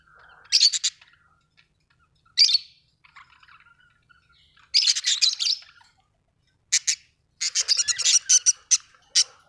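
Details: Budgerigar producing bursts of sharp, high chirps and raspy chatter, ending with a quick run of clicking chirps, with silent gaps between phrases.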